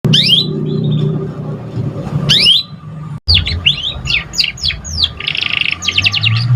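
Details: Young canary just learning to sing: sweeping whistled notes dropping from high to low, then a rapid burst of fast descending chirps and buzzy trills, over a steady low hum.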